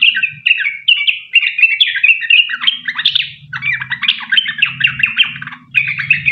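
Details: Sooty-headed bulbul singing a long, rapid 'ropel panjang' song used as a lure to make other bulbuls sing. Dense chattering, warbled notes run almost continuously over six seconds, with a faint low hum beneath.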